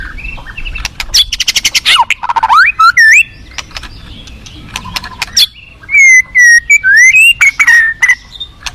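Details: White-rumped shama singing a varied song: rapid buzzy trill bursts around one to two seconds, then clear whistled notes sliding up and down, with sharp clicks scattered between phrases and low rushing background noise.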